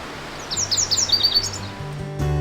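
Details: A male Lazuli Bunting (Passerina amoena) sings from a bush in early June 2023 in Poudre Canyon, Colorado: a quick run of high, sweet paired notes slurring downward over about a second, with soft music underneath.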